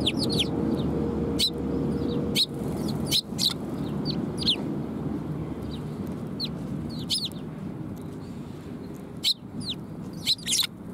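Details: Sparrows arriving to be fed at a Tenmangu shrine on 18 December 2020: many short, sharp, downward chirps in quick irregular bursts, several birds overlapping, over a steady low hum and a faint tone.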